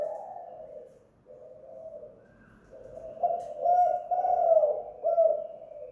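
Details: Tekukur, the spotted dove, kept at home and heard in a two-kuk hanging guk lure call: low husky coos that start soft, pause, then swell into louder rolling notes toward the end.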